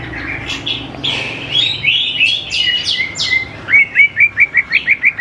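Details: Greater green leafbird singing to draw young birds into song: jumbled bright warbling and buzzy slurred notes give way to a fast run of sharp repeated chips at the end.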